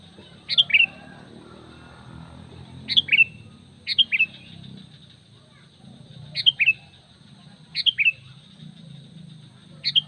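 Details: Calling sooty-headed bulbul used to attract wild bulbuls in the forest, giving short, sharp two-part chirps repeated irregularly every one to three seconds against a soft low background rumble.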